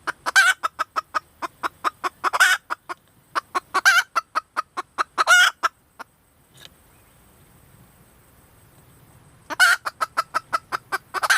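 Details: Rapid sharp clucks from a female red junglefowl, interspersed with raucous squawks, then a silent gap of about three seconds before another burst of clucks and squawks.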